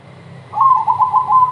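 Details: Crossbred zebra dove singing to lure others into song: a brief, fast string of rolling coos, rising quickly in volume, over a steady low background hum.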